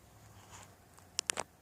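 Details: A woodpecker in a backyard gives three sharp, dry knocks in quick succession, about a tenth of a second apart, against a quiet background hush.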